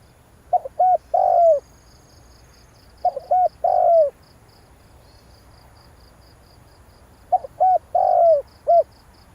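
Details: Spotted dove call for luring birds into a trap: three phrases of clipped short notes running into a drawn-out hoarse downward coo, spaced by long quiet gaps with a faint high pulsing background.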